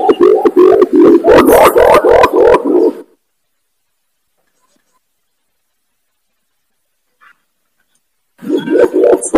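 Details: Imperial pigeon (pergam, kumkum) lure call used to attract wild pigeons for trapping: a loud, clear burst of rapid low cooing pulses lasting about three seconds, then silence, then the pulsing resumes near the end.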